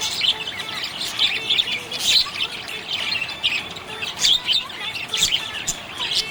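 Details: Happy pet budgerigar chirping in a dense, continuous stream of high, scratchy twitters and short squeaky notes, with brief louder bursts about once a second and no pause.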